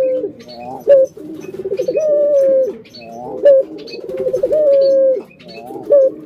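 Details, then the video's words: Kept puter dove cooing in repeated phrases: a short rising note followed by a long, level, purring coo lasting over a second, the pattern recurring about every two seconds in a small room. "burung puter"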